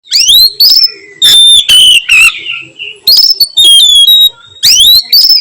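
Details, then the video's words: Oriental magpie-robin singing in the 'nyiul' style in the afternoon: loud, clear whistled notes sweeping steeply upward, then steady high whistles and a falling slur, sung in bursts separated by short pauses. "KACER NYIUL MERDU SORE HARI"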